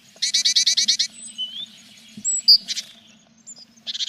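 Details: Inside a tit nest box on 21 April, with the growing chicks: a fast run of about eight harsh rasping pulses, then thin rising whistles, a sharp high note, another raspy burst and further rapid rasps at the end.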